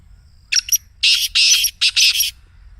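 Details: Excited call of the Black Francolin, meant to set a caged bird calling: two short scratchy clicks, then a loud, run-together phrase of harsh, grating syllables lasting about a second and a half.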